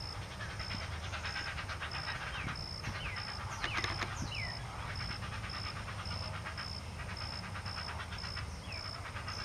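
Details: Feeding at a great blue heron nest holding two chicks: dense, continuous quacking pulses repeated several times a second, a few short downward chirps, and a steady high intermittent tone throughout.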